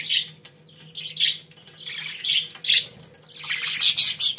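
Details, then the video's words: Pet budgerigars kept indoors, chattering in bursts of bright, scratchy warbles and squawky notes, each burst a second or less, with brief gaps and a faint steady hum underneath. "Muhabbet Kuşlarınız Bu Sese Bayılacak & Ötme Garanti"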